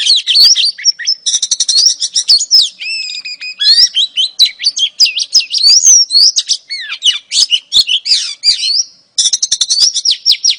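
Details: Oriental magpie-robin female, calling to lure a male, pours out fast high chattering trills and whistled slurs in long unbroken runs, with one brief pause near the end.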